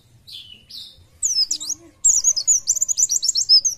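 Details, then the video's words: White-eye in Indonesia singing: a few thin, high slurred notes, then a lively run of sharp, rapidly repeated high chirps and twitters. A faint low rumble sits underneath. "PLECI JOSS ..BUKPAR KEREN..FIT NGICAU LOSS"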